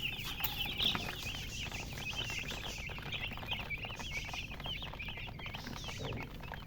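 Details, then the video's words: Constant shrill chirping from a group of chickens, rapid overlapping downward peeps with no pause, over quiet low rumble. "silly chicken chirping sounds"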